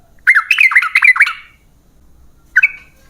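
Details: Yellow-vented bulbul, played to make other bulbuls sing: a brief tumbling phrase of half a dozen mellow, bubbling whistled notes, silence, then a single short two-note flick.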